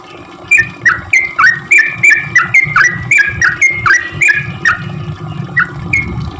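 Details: Sooty-headed bulbul in full song, played as a lure for bulbuls that rarely sing. Brisk run of bubbly, slurred notes repeated several times a second, roughly a dozen phrases, with low rumbling noise underneath.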